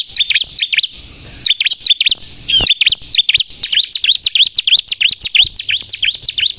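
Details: Bar-winged prinia (ciblek kristal) singing actively, used to lure and provoke birds: a brief high phrase, a short pause, then a long steady series of sharp, high, swooping chirps at a fast pace.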